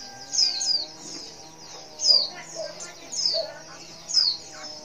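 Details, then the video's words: Female white-eye calling to males: four high, thin downslurred chirps spaced about a second apart over a soft background hum. "Suara CALL PLECI BETINA Super Lenjeh BIKIN Pleci Jenis Apapun Cepat Respon"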